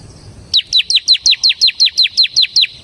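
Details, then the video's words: Ciblek semi (Bar-winged prinia) singing in the persistent 'ngebren' style: after a brief quiet start, twelve evenly spaced, piercing downward-sweeping notes pour out at a quick, steady pace. "suara burung CIBLEK SEMI GACOR Ngebren"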